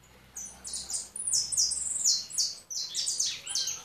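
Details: Sustained twittering from a European goldfinch: a quick series of high, sharp, slightly buzzy notes in linked phrases, with a faint low hum beneath.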